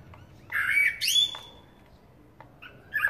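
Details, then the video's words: Eurasian blackbird: one strong, slightly harsh warbled phrase that slides upward into a thin drawn-out whistle, followed by a brief soft chirp. "Чёрный дрозд, Turdus merula"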